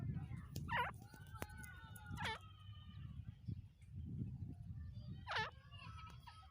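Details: Black francolin calling three times, each a harsh hooked note that dips then rises sharply, spaced a second or more apart over a steady low rumble.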